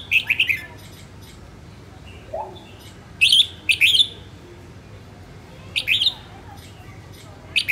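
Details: Red-whiskered bulbul hen, a northern bird in voice training, sings short warbled phrases: a chirpy burst at the start, a double phrase near three to four seconds, another near six seconds and a final note, with faint low hum behind.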